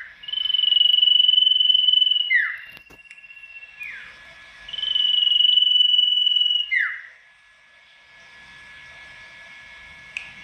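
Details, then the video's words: Golden-bellied Gerygone, a tame bird singing loudly to draw rivals into replying. It gives two long, pulsing whistles, each about two seconds, and each ends in a quick falling slur, with quiet gaps and faint background hum. "Masteran burung sirtu gacor dor,suara lantang mencari lawan,dijamin sirtu apapun langsung nyaut"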